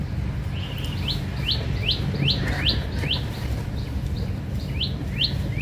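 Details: House sparrow; fighting calls; aggression while fighting each other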